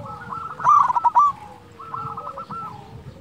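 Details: Local zebra dove, loud and sweet-voiced, used to stir reluctant doves into singing: a short burst of rapid, bright cooing notes, then softer, lower cooing phrases from other doves behind.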